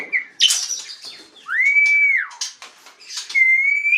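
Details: Asian pied starling singing vigorously in the ngaruda style: long clear whistles that slide up and hold steady, mixed with harsh scratchy bursts and short chattering notes.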